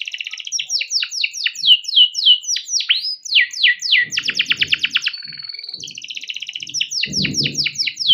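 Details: Male pet canary giving a long, rolling song used as a lure to teach young canaries: a rapid run of bright, high sweeping notes shifting into fast trills and a buzzy roll, with faint low thumps beneath.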